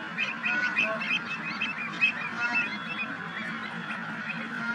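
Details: A flock of Bar-headed geese at Chandlai lake, Shivdaspura, Rajasthan, on 23 November 2020, honking together in a dense, overlapping chorus of nasal calls with no pause throughout.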